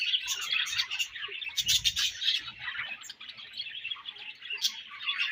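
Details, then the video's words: Budgerigars in breeding season, a dense flock chatter of warbling chirps and short squawks running continuously, with scattered clicks and brief low thumps. "Budgies Breeding Season & Budgies Chirping Sounds"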